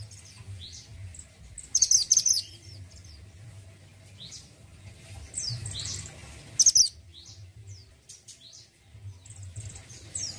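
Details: Orange-headed thrush of the mountain type, singing actively: short high whistled sweeps and slurs spaced a second or two apart, broken by two loud harsh chattering bursts near two and seven seconds, over a low steady hum.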